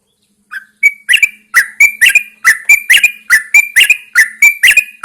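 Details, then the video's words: Yellow-vented Bulbul in a cage outside during early morning, delivering a brisk, regular series of bright, gurgling chirps, about two per second, with a faint low hum in the background. "Pengembunan Burung Trucukan"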